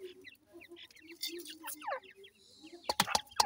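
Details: Feeding grey francolin (teetar) chicks: quick downward-slurred chirps cluster in the middle, over a steady run of soft low clucking notes, ending with several sharp clicking taps.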